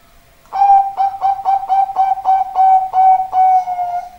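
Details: Zebra dove with a deep, rich voice singing a quick series of about ten short, clear, level whistled notes, evenly spaced and lengthening toward a final drawn-out note.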